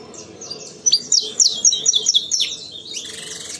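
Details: Saffron finch from a breeding aviary singing in the CT sistemático style: a lively burst of sharp, high chirps packed closely for about a second and a half, over a steady background chatter of many other birds.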